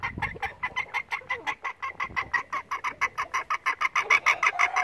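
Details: A loud bantam (dwarf mixed-breed) hen gives a steady run of nasal, clucking notes, about three a second. They grow slightly louder toward the end. She sings before laying, still searching for a nest site, and can be heard from far away.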